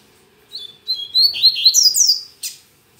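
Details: A Double-collared seedeater sings on a Saturday morning, its song still weak: paired whistled notes repeat and rise, speeding into quick looping high slurs, then a short harsh buzzy note closes the phrase in otherwise near silence.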